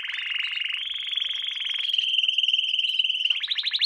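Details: Canary song used to train young canaries: an unbroken fast trill that steps up in pitch, holds steady and ends in quick rising chips.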